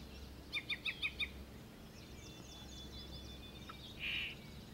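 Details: A Yellow-breasted Chat at Chiwaukee Prairie, Kenosha County, Wisconsin, 06:23 on 23 June 2012, gives a quick run of five short, clipped mid-high notes, then fainter thin notes and one brief harsh burst over a steady low hum.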